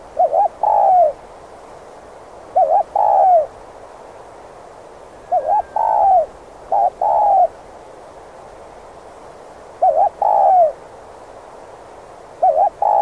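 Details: Cooing spotted dove played to attract wild doves: repeated two-part phrases, a brief wobbling note and a longer falling coo, recurring every two to four seconds over quiet background.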